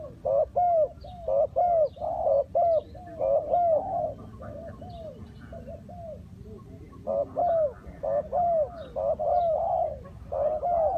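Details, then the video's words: A spotted dove cooing as a decoy while wild doves are trapped. Bursts of paired hooting notes are broken by a quieter pause of several seconds before the calling resumes. "Cu gáy Ninh Thuận"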